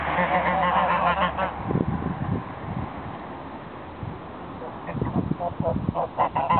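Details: Geese giving a rapid series of nasal, brassy honks, followed by a stretch of scuffling and low noise, then several more honks toward the end.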